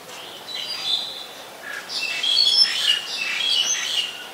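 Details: In Ubon Ratchathani, Thailand, on 24 October 2021, a black-collared starling gives bright, high chirps and squeaky notes, building to a busy chattering run in the second half.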